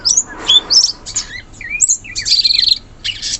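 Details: Wild sooty-headed bulbul singing in forest: quick high squeaky chirps and short upward-sweeping whistles in scattered bursts, with a busier trilled phrase near the end.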